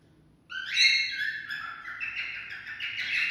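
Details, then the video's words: Cockatiel singing to stimulate mating, a loud rising whistle opening into continuous rich, warbling chatter that carries on to the end. "Cocktail stimulating sounds for mating"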